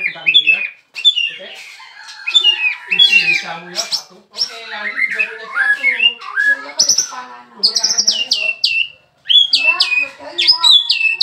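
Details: Caged bird, just brought in, singing as soon as its cage cover is lifted: fast, varied outpouring of high squeaky slurs and repeated sharp descending whistles, with brief pauses between bursts and faint background music.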